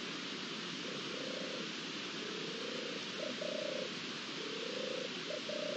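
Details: A European turtle dove, recorded 29 May 2021, gives soft, low, rolling purrs in short phrases of about half a second, over a steady hiss of wind or ambient noise.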